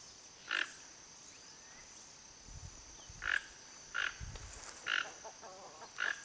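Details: Wild, free Toco toucan (Ramphastos toco) giving five short, rough, frog-like croaks at uneven intervals of about one to three seconds, over a steady high insect hum.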